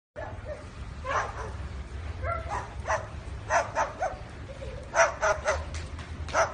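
A parrot imitating a dog: about a dozen short, rough bark-like yaps in irregular bursts, over a steady low rumble.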